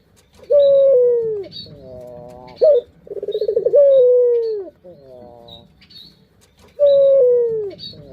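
Drawn-out, falling coos come roughly every three seconds, some with a rough, rolling, pulsed quality. Brief higher chirps break in between.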